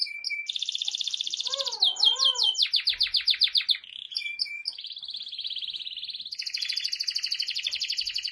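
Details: Canary song with many trill types: steady high buzzy rolls, a series of sharp rapid notes, a short whistled passage, and a final long trill in two pitches.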